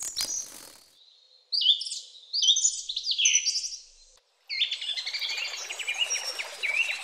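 Kingfisher giving shrill, high-pitched chirps in short bursts, then a fast, dense run of sharp piping notes, with brief silent breaks between.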